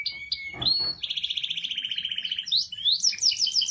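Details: Lively canary song used to prompt a canary that has stopped singing: a high steady whistle, then a fast buzzy trill of even pulses, ending in quick rising and falling chirps, with faint low background hum.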